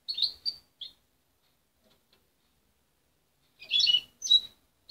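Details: Young parent-raised goldfinch hybrid, taken from its mother at 23 days and still learning its song: short clusters of high, twittering chirps, then a long silence before two more rapid, buzzy bursts.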